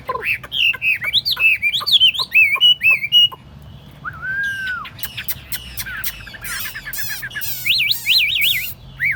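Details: Tame Chinese hwamei in a carried cage placed on a table, giving varied song: rapid whistled slurs and trills, a pause, a single long mellow whistle, then fast high warbled notes and wavering loops.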